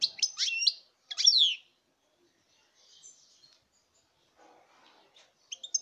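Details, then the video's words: European goldfinch singing in 2019: two short bursts of high twittering, sweeping notes in the first second and a half, then faint chatter and a brief return of high notes at the end. "chant chardonneret"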